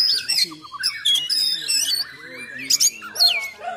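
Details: Oriental magpie-robin in aggressive full song with coarse fill notes, used to provoke and train other magpie-robins; high whistled phrases alternate with harsh buzzy bursts and lower scratchy notes in quick succession.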